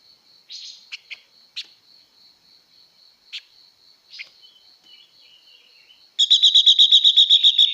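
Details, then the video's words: Female blue-winged leafbird singing to excite males: soft scattered chirps for six seconds, then a sudden loud run of rapid harsh repeated notes, about four per second, over a steady high background tone. "Tiếng Chim Ngũ Sắc Mái Hót Siêu Kích Trống Nhanh Căng Lửa"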